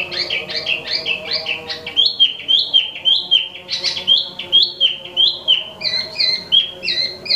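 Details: Imported Wambi Mini singing nonstop: rhythmic paired whistles rise and fall in a regular pattern, about three phrases a second, with clear ringing notes over a low steady hum.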